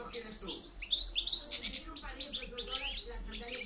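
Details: European goldfinch in Spain, a wild-type bird, giving a rapid, busy stream of high twittering and chirping notes with liquid trills, over a faint low hum.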